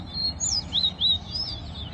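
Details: Large-billed Seed-Finch sings in a Guyanese towa-towa bird song competition while its songs are counted aloud, a quick run of clear, slurred whistles rising and falling high in pitch over a low background hum.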